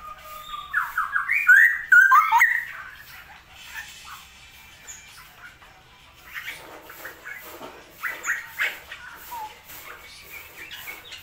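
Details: Straw-headed bulbul, locally cucak rowo, a kept songbird heard in a rainy season with heavy rainfall, opening with a loud two-second burst of rich, fluty, bubbling warbled phrases, then fading to faint scattered chirps over background noise.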